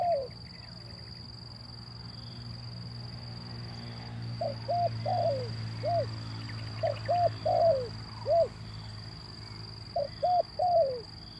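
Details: Male zebra dove in Indonesia, calling to lure lazy birds into singing; after a quiet opening, clusters of short bright arched coos come in bursts, with a constant high-pitched hum and low background rumble.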